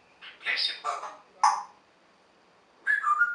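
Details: Pet African grey parrot talking: a few quick word-like syllables, a pause, then clear whistled notes with a rising and falling tone.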